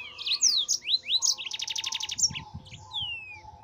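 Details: A yellow-fronted canary sings nonstop for cage-bird training: high slurred whistles sweeping down, a fast buzzy trill of repeated notes, then more thin descending whistles, with faint low background hum.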